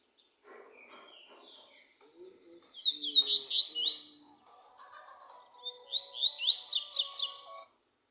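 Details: Double-collared seedeater singing: soft scratchy twitters lead into bright, rapid slurred phrases, a lower warbling interlude, then a loud run of quick rising notes; quiet background.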